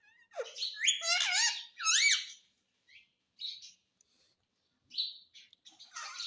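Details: Indian ringneck parrot talking, reportedly saying "mummy": loud bursts of high harmonic squawks with bending, dipping contours over two seconds, followed by short scattered chirps and quiet gaps.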